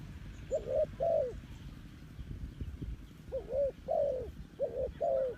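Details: Spotted dove used as a decoy bird to lure wild doves, giving short low cooing notes in two groups: a pair near the start, then four more after a quiet gap, over steady low background rumble.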